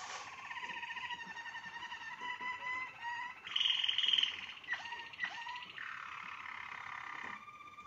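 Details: A Waterslager (Malinois) canary gives its "klok" water-sound song of low, bubbling, water-like rolls; sustained gurgling tones are broken by a bright rapid trill midway, then quick downward slurs.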